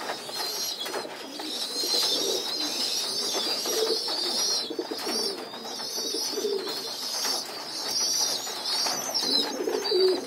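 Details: Pigeon youngsters moved to the floor for group feeding, producing long stretches of thin, high wheezing squeals with brief pauses, plus scattered soft low coos and movement noise indoors.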